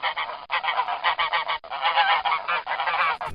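A goose honks in rapid, harsh, nasal bursts, several loud honks run together over about three seconds with brief pauses between.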